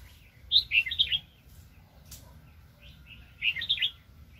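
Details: Very spirited wild red-whiskered bulbul during a 2020 trapping session: two short, rollicking whistled phrases about three seconds apart, each a quick tumble of liquid notes, against a quiet low background.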